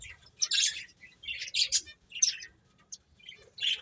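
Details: Playing finches give short separate bursts of high chirping, about four loud clusters spaced by brief quiet gaps.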